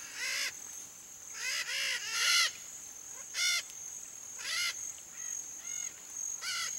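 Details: Red-shouldered macaw, wild in Brazil's Pantanal, uttering a series of harsh nasal screeches, some in pairs or triplets, irregularly spaced, with a continuous high-pitched insect hum behind.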